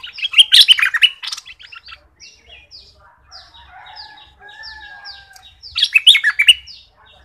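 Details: Thick-billed flowerpecker, southern Thailand, on a lure recording: a loud chirping burst opens, then sparse high ticks and faint lower whistled tones follow before another twittering burst.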